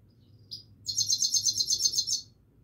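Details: Himalayan goldfinch singing: a single short high note, then a rapid run of bright, buzzy, twittering notes lasting over a second, all very high-pitched above a faint low hum.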